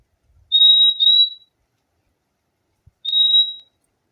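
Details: Fim-fim giving a doubled high pure whistle, then after a short silence one more level whistled note, in a quiet setting.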